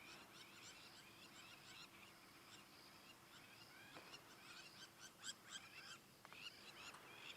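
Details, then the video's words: Crowned lapwings at sunset on a safari drive, 4 March 2017, during lightning before rain, give harsh, high, repeated shrieking alarm notes from both sides of the road, unusually active in the evening, over a low hum and faint distant calls. "Isn't this lovely? You can hear the crowned lapwings. They're not happy about something."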